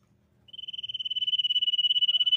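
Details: Common iora, used as a lure for other birds to sing, delivering a long rapid high trill that steadily grows louder, with faint low background noise.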